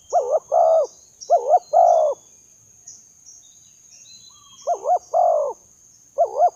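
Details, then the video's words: Luring call of spotted dove: three clear cooing phrases, each a pair of short bouncing notes then a sustained hollow coo, separated by a pause of a couple of seconds. Faint high hiss behind. "memikat burung tekukur"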